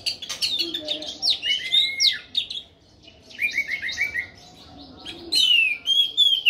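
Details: Song of an orange-headed thrush in full voice: rapid strings of bright whistled notes, falling slurs and warbles in bursts separated by a short pause, some mimicry-like rising phrases near the end.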